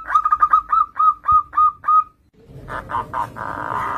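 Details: Lively perkutut song for luring young zebra doves: a fast string of bright hooked coos that slows toward the end, followed by a hushed gap and then a stretch of rough, noisy sound.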